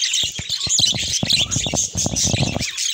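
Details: Budgerigars giving dense, scratchy warbling chatter with rapid high chirps and squawks, overlapping continuously, punctuated by sharp low knocks or clicks throughout.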